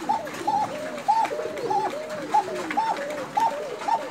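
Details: Bashiraj koka fancy pigeons in Tangail give rapid, short arched notes repeating about twice a second, layered over softer, lower wavering coos from nearby birds.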